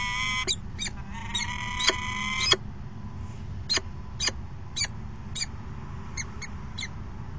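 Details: Male peregrine falcon arriving at a nest box with food and calling to the female, recorded 22 August 2018. A drawn-out harmonic wailing call lasts about two seconds, followed by sharp clicks and taps over steady background hiss.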